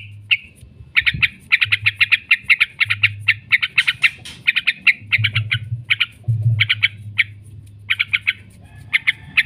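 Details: Extended 'ngekek' chattering of a yellow-vented bulbul, a lure recording for training kept birds: long rapid trains of sharp, bright notes broken by short pauses, over an intermittent low hum.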